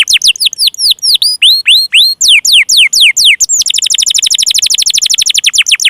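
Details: Singing canary used as a prompt for stalled, lazy and young birds: loud descending swept whistles at a moderate pace, then a quick even rattling trill.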